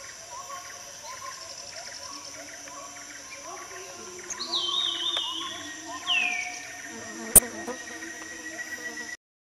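Green broadbill giving two loud, slurred whistled notes a second apart, over a steady high insect drone and softer repeated calls of other birds.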